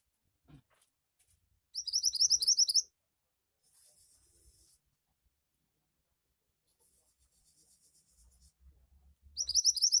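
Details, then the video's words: Javan white-eye in vigorous gacor singing, used as training material to get other white-eyes singing: two bursts of rapid, very high, buzzy twittering notes about a second long, separated by near silence with faint soft rustles. "Burung Mantenan Gacor Cepat Bikin Burung Mantenan bahan cepat ngoceh"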